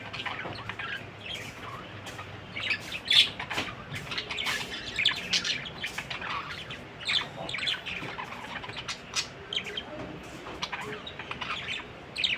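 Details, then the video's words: Budgerigars keep up a busy, high-pitched chatter: scratchy chirps, squawks and short warbles tumble over one another without pause, with several sharp louder squeaks. "BADRI PAKHI || BIRD NEW SOUND"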